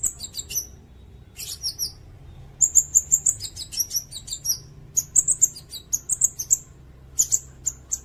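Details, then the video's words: Sirindet singing, a recording meant to teach songbirds and to lure wild birds: busy run of very high, sharp chirps, short ringing trills and squeaky notes, uneven in rhythm with only brief gaps. "Suara burung sirindet"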